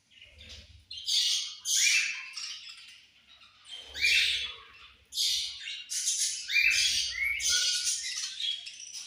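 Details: Budgies at feeding time, caged pet birds chirping: bursts of high, scratchy chattering and squawky chirps in overlapping waves, with short quiet gaps and a low rumble beneath some bursts.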